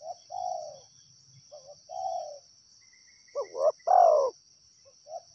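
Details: Wild tekukur, the spotted dove, with soft drawn-out coos from one bird, then a loud close phrase of two rising notes and a long descending coo, over a steady insect drone.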